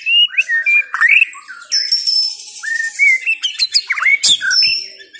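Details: White-rumped shama of the Chao Singto line singing clear whistled phrases mixed with a long high thin note, quick chirps and sharp clicks.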